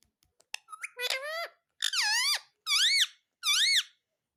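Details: Pet green parrot repeating "mummy" in a small room: a few clicks, then four loud arched, nasal, harmonic-rich calls about a second apart, each dipping and rising in pitch.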